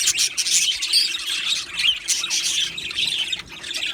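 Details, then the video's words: Aviary of Australian budgerigars: lively, scratchy chirping and squeaky warbling from several birds at once, dense and continuous, easing slightly near the end. "Australian parrot Chirping Sounds | Australian Budgies Parrot Singing Video"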